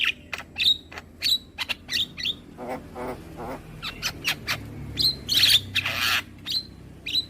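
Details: Young Javan myna tutor song for training young birds: repeated short sharp whistled pings and clicks, about one and a half per second, broken by longer harsh rasping bursts.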